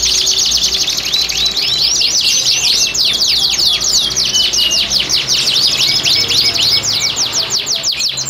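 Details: Domestic canaries kept in breeding cages, singing a mating song meant to bring females into breeding condition: a dense, continuous run of rapid high trills and chirps with a steady background hum.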